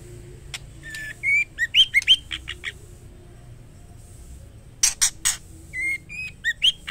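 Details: Female white-rumped shama calling the male: bursts of short harsh, buzzy squawks with upward inflections, a pause with a few loud clicks, then another run of rasping notes.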